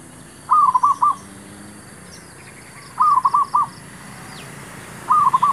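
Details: Male zebra dove used as a decoy to lure wild doves during trapping, giving soft cooing phrases of four or five quick, bubbling staccato notes, repeated about every two and a half seconds over a steady low background hum.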